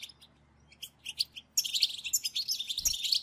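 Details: Several European goldfinches chattering together, a batbata recording for stimulating goldfinch song: scattered high chips at first, then a sudden dense, continuous stream of tinkling twitters and buzzy trills about four notes per second, a brief low thump near the end.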